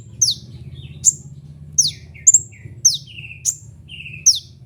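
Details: Sunbird named kolibri ninja in local bird-keeping, recorded for lure and tutor use. High piercing downslurs come about every half second, some doubled, with short flat buzzy notes between, over a low rumbling hum.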